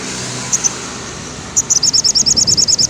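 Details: Afternoon sogon song for conditioning caged birds: two high chips, then a quick run of about fifteen very high, evenly spaced trilled notes over steady background hiss.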